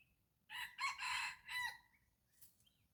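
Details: Morning crow of a red junglefowl at a decoy-calling site: one strong, multi-part crow of about 1.3 seconds with a rising start and a trailing final note, followed by faint distant calls.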